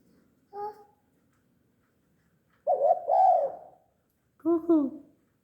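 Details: Tame spotted dove that coos often: three hoarse, harmonic coo notes, a short first note, then a longer two-part coo and a final doubled note, in a quiet setting.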